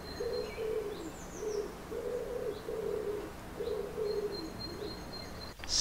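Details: Common wood pigeon in a garden in May, giving deep, husky, intense coos in a steady run of short phrases, with thin high whistles from another small bird and a voice in the background.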